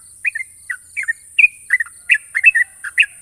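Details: Champion yellow-vented bulbul singing a sharp ropel: crisp, bright, paired chirps tumbling quickly after one another, each note whistled and slightly slurred, with steady hiss underneath.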